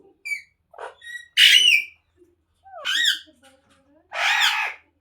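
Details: Ringneck parrot kept as a talking pet, shown dancing; scattered short chirps lead into three loud, broad, grating squawks spaced over about three seconds, with faint low murmurs between.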